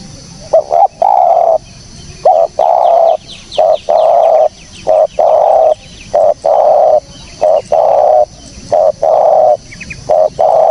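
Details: Spotted dove cooing, clean and clear, used as a trapping lure: a steady run of mellow, throaty coos in paired short notes and longer held coos, repeated through the clip with brief gaps, against a quiet background.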